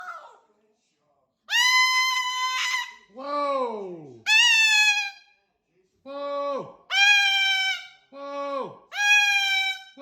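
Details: Pet cockatoo indoors making squeaky, toy-like calls: drawn-out nasal squeals with rich overtones, some sliding down in pitch, given in bursts of one to two seconds with short pauses between.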